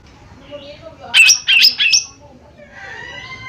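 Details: Lesser green leafbird (cucak ijo mini) used as a lure call to prompt a response. Three loud grating notes in quick succession are followed by faint thin whistles and soft background chatter.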